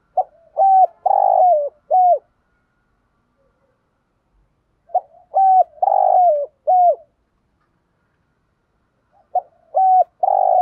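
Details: Morning flock-calling coos of a spotted dove used as a decoy: three similar phrases spaced roughly four seconds apart, each short lead notes, a long rough coo and a clear downslurred ending, with silence between.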